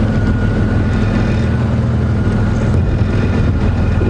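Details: Steady low engine drone from a safari vehicle during a morning game drive at Djuma Game Reserve, with no animal voices.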